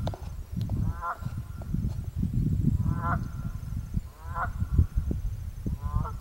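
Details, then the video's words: Nasal, grating honks from a pair of Canada geese on Mud Pond, Jefferson, New Hampshire. Four calls come roughly every one to one and a half seconds against heavy low rumbling noise and a few faint clicks. "Candian Geese Honking"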